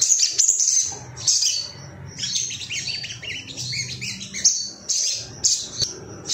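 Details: Agitated Ruby-cheeked sunbird seeking rivals, played to provoke birds into singing: dense, very high twittering with rapid chips and short bursts, broken by brief pauses, over a faint low rumble.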